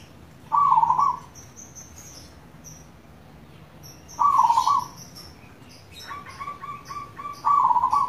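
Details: Local zebra dove, a kept songbird, used as lure audio to get other doves singing: three loud, rolling, trilled coos of under a second each, about three seconds apart, with a quick run of short repeated notes between the last two and faint chirps above.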